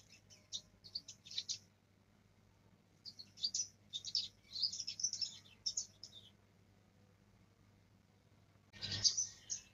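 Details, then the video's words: A young black-throated canary learning to roll practices in two bursts of high, thin twittering and rolling trills with brief pauses; a sharp knock sounds near the end over a faint hum. "Blackthroat muda belajar ngerol"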